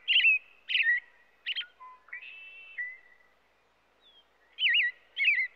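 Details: American robin song: three quick caroling phrases, then softer high thin notes and a long flat whistle, a silent pause, and two more looping warbled phrases.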